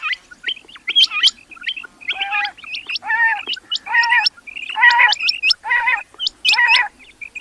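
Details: Several rain quail chirping together. Rough, buzzy harmonic call notes come in steady bursts, with many thin, rising, hooked whistles layered above them.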